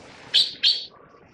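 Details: Taiwan blue magpie (Urocissa caerulea) at a nest while feeding chicks gives two harsh, rasping call notes, each a quarter-second long and close together, over a faint background hum.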